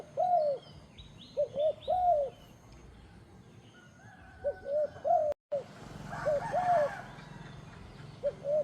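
Low, rolling purred coos from a turtle dove in groups of two or three, repeating every second or two, with faint high chirps of other birds behind.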